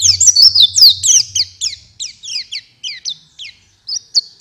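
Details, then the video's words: Oriental white-eye song used as a lure to get caged birds singing: high, rapid twittering phrases of downslurred chirps, dense at first then thinning into separate notes about three per second; a low hum underneath early on. "Pancingan supaya pleci cepat gacor"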